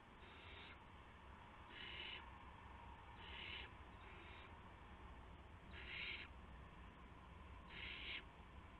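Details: Owlets in a nest after midnight on March 19 2016, while parents deliver mice and a gopher; six rasping, noisy hiss bursts come at uneven gaps, some louder than others, against constant low-pitched hum.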